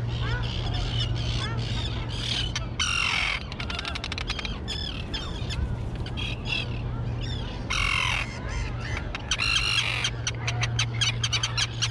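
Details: Grown young terns on an overgrown island colony give loud, raspy screams and clipped rattling series, several birds calling at once, while a constant low hum runs underneath.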